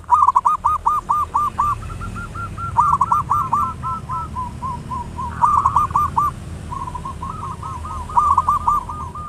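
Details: Local zebra dove with a big voice, singing actively, used as a lure to quickly stimulate other doves to sing. Phrases of rapid cooing notes are repeated over and over, with softer, longer trilled stretches between the loud bursts.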